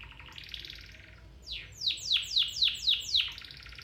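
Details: Domestic canary training song: a soft buzzy trill, then six loud sweeping chirps repeated about every quarter second, ending in a rattle.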